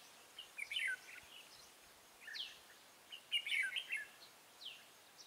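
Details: Red-whiskered bulbul on 14 March 2017, kept as a lure for trapping. Two busy warbled bursts of chirps, each followed by a clear falling sweep note.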